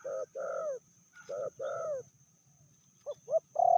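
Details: Female spotted dove, said to be fiercer than the male, medium-voiced: softer paired coos with a slight downward bend, a quiet gap, then two short clipped notes leading into a loud, sustained coo.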